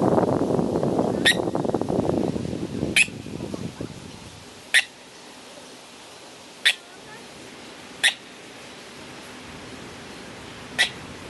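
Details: A Eurasian coot swimming on a lake or pond in Melbourne, Victoria, Australia gives six sharp, explosive 'pik' notes, one every one to two seconds, after a few seconds of rumbling wind or handling noise.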